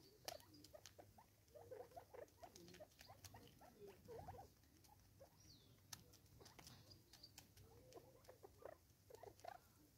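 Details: Soft, quick chirps and short upslurred notes from six Natal spurfowl competing over food in South Africa, punctuated by sharp clicking pecks and scratching sounds over a faint low hum.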